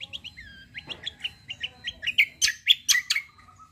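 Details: Kecial kombo white-eye, a fighter singer meant to tutor other birds: quick repeated short upslurred whistles build into loud, harsh, buzzy chips near the end.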